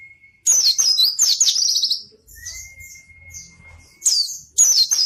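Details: Lively white-eye (pleci) song, used to coax quiet white-eyes into singing: a thin steady whistle, then a sharp burst of fast, high, buzzy twittering notes, another long level whistle over soft low rumble, and two short chattering phrases at the end.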